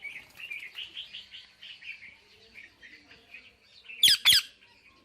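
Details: Parrot chattering with soft, warbling mid-pitched notes, then letting out two sharp, loud squawks near the end.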